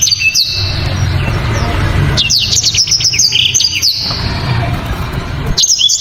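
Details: Blacktrod, a songbird valued for its loud, sharp, dense song: short high twittering bursts at the start and end, with a middle phrase of quick whistled slurs and chirps, over a steady low rumble like traffic.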